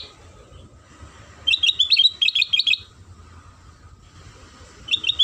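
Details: Lure song of a sooty-headed bulbul for drawing other bulbuls into singing: a fast, lively run of bright twittered notes lasting over a second, a pause, then a brief renewed burst.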